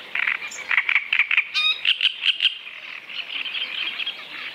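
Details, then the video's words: Great Reed Warbler (Acrocephalus arundinaceus) singing a croaking, guttural series of repeated harsh notes, each phrase a run of four to six rasping units, followed by a softer chattering tail and steady background hiss. "Great reed Warbler (Acrocephalus arundinaceus)"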